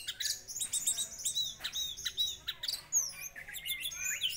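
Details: Orange-headed thrush song played as a lure to excite a bird and set it singing: a dense stream of high, quick chirps, sweeps and trills, varied and almost unbroken.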